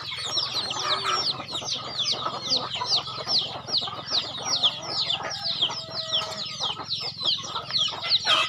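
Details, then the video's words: Home-kept chickens at feeding time, many birds piping thin descending peeps in quick succession, with occasional lower clucks and a faint background hum. "Feeding chicken in my farm"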